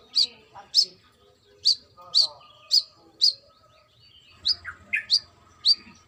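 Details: Female brown-throated sunbird calling its male: a series of high, sharp chirps, then lower, rougher notes mixed in near the end, over a quiet hum.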